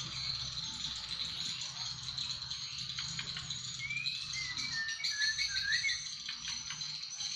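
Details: White-rumped shama of the Aceh type: a few clear whistled notes, some rising and some sliding, sung over a steady high insect-like hiss and a low hum.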